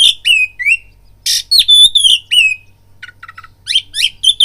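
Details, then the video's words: Oriental magpie-robin, caged, singing a fight-provoking lure: loud whistled slurs and harsh rasps in quick succession, a run of short clipped chips, then more bright whistled phrases. "BIRAHI TARUNG KACERMU NAIK DENGAR PANCINGAN KACER INI BUNYI"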